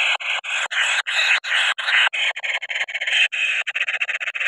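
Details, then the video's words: Noisy, easily angered kingfisher chick, described as the noisiest young bird: dense, harsh, buzzy rasping calls run almost continuously in bursts, quickening into short choppy pulses toward the end. "Anak Burung Paling Berisik Mudah Marah, Senggol Ngamuk"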